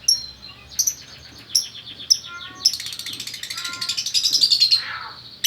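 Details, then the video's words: Male and female lovebird pair from Bukittinggi, West Sumatra, called gacor for their lively calling: sharp shrill chirps spaced about a second apart, building into a dense buzzy high chatter before a final squeak. "Burung Lovebird Jantan Betina Bukittinggi Gacor"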